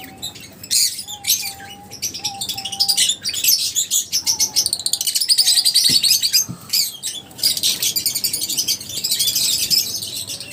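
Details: A group of lovebirds gives a dense, continuous stream of high, rapid chirps and chattering twitters with only brief pauses, and a faint steady whistle-like tone runs underneath.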